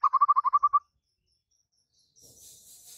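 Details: White-rumped shama, song used to prompt a mute bird to respond and sing: a quick run of about eight rapid chattering notes, then silence and a soft hiss.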